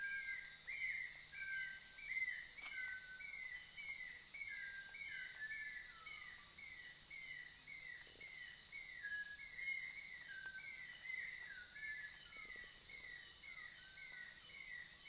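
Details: Black-throated wren-babbler in Danum Valley, Sabah, Borneo, 2023, giving short, clear whistled notes repeated quickly and overlapping, over a steady high insect drone.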